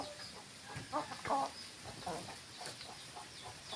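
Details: Domestic hens giving a few short, low clucks in quick succession, with quiet background noise and faint higher chirps from other birds.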